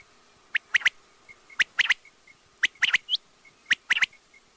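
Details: Quail calling with sharp, high chirps given in quick clusters of two or three, the groups repeating roughly every second against a quiet background with a faint steady hum.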